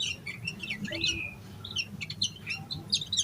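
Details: Excited yellow-vented bulbul in full song with plenty of fill-in phrases, played to get other bulbuls singing; quick twittering notes and a drawn-out falling slur, then brisk high chirps, over low background hum.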